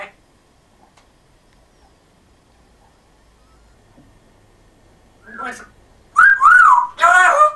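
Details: Talking pet African grey parrot with a Yorkshire accent: near silence, then a soft syllable and two loud, drawn-out voice-like phrases with wavering, harmonic tones.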